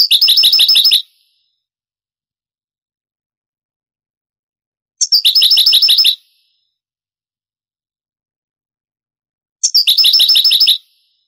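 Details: European goldfinch singing in the Granada style of Andalusian song, from an old Spanish tape of the 1980s-90s transferred to CD: three short, fast trills of high, evenly repeated notes, each lasting about a second and spaced roughly four seconds apart.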